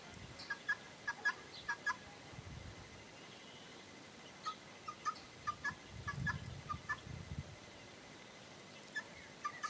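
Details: Up close on a morning, a Helmeted Guineafowl from a group that turned fully wild and lingered by a henhouse about two weeks calls in clusters of sharp, grating notes, pausing between runs; low rumbling noise underneath.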